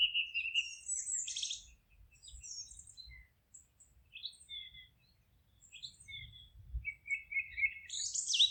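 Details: Wild birds singing in a forest: several high chirps and short whistled phrases overlap, with a trilled phrase at the start and a fast twittering run near the end, separated by brief quiet gaps.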